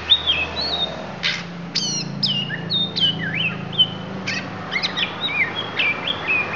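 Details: Lampung oriental magpie-robin delivering isian phrases: clear whistled notes that slide down and up, mixed with short harsh chips and brief rising slurs, steady against a low background hum.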